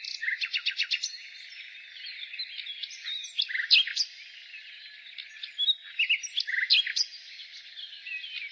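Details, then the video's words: A spring nightingale starts with a quick series of seven or eight loud repeated notes, then scattered whistles and sharp chips follow in irregular phrases over a background of bird chatter. "Nightingale singing"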